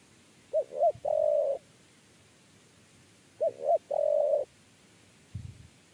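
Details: Spotted dove in 'kuk 3' cooing style, recorded while lure trapping: two phrases of two brief rising hoots and a sustained soft coo, about three seconds apart. A dull low knock follows near the end.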